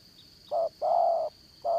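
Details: Trapping-decoy spotted dove of the 'Đồng Son' voice type: a short coo, a drawn-out level coo, then another short coo, low and clear.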